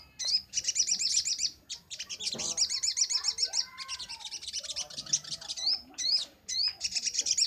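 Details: Master recording for training cage birds, featuring a lively crimson sunbird: long runs of very high, fast, buzzy trills and quick upslurred chirps, almost continuous, with a faint lower warbling phrase midway.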